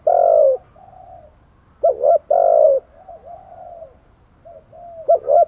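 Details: Decoy spotted dove luring wild doves with low, hollow coos: a long loud note, softer trailing coos, then a double note and another long coo, ending on a short doubled phrase.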